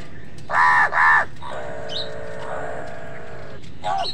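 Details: A crow caught up in a fight with wild birds over food gives two quick, raspy caws in succession, followed by a long, flat, drawn-out harmonic call and a short final note.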